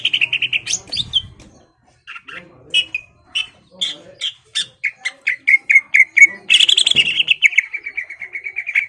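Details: Greater green leafbird singing energetically to provoke a rival into display and fighting: a fast stream of clear, high whistled notes, a trilled burst, then a steady run of short repeated chirps, with a brief low rumble.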